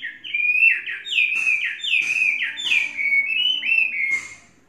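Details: Tame caged Chinese hwamei, three seasons trained, pouring out a loud flowing stream of clear whistles, slurred up-and-down notes linked almost without break, fading at the end.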